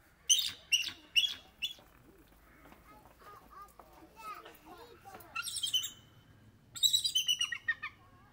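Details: Bald eagles calling with high, thin piping chirps, four quick notes in the first two seconds, then a person talking, then two more bursts of sharp, chattering squeals.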